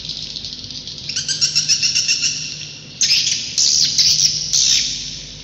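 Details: Swiftlets at a roost give a quickening series of sharp, high chirps that build into loud buzzy twitter bursts, with a low hum in the background.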